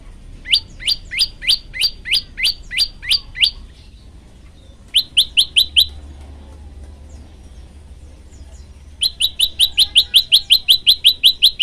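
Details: Prenjak lumut (olive-backed tailorbird) in gacor variation for masteran: three bursts of quick rising chirps, the first slower and longer, a short middle burst after a pause, then a fast final run.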